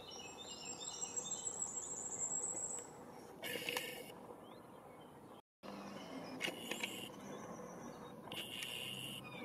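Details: Firecrest song in spring 2021 at Verdelais, Gironde, France: a run of very high, thin, faint notes quickening into a fast shrill series, then rustling and faint insects; blackcap, thrush, chaffinch and great tit may intrude.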